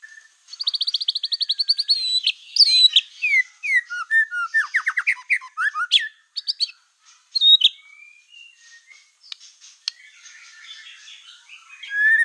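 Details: White-rumped shama, black-tailed type, in lively song used to provoke other shamas: a long high buzzy trill, then quick falling whistles and chips, later quieter scattered notes and a final rising whistle.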